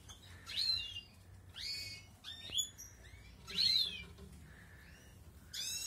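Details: Balkan European goldfinch in an outdoor breeding setup at the start of the 2020 breeding season; high, harmonic-rich twittering notes repeated about once a second, with a steady mid-pitched tone and a soft click behind.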